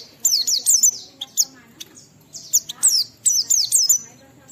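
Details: Clear Oriental white-eye song played so other white-eyes answer and sing: bursts of two to four high, falling whistles, with short quiet spells between.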